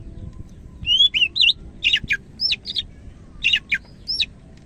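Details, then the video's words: Greater green leafbird of the Medan type in lively full song: clusters of short, sharp whistled and slurred notes, some rising and some falling, delivered in quick bursts with brief pauses between them, over a faint low background hum. "SUARA BURUNG CAK IJO MEDAN GACOR"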